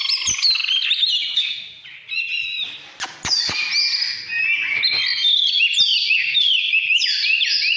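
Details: Singing Oriental magpie-robin, 'căn lửa' style, 2017: varied warbling phrases of whistles, chatters and sweeping notes, dipping briefly quieter midway, then rising into rapid downslurred whistles, with several sharp knocking clicks.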